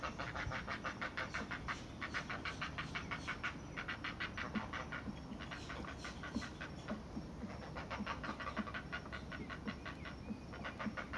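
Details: Great blue heron chicks begging as their mother feeds them, rapid harsh clacking bursts about three a second in runs that break and restart, over low rumble; toward the end the hunger calls turn more growl-like.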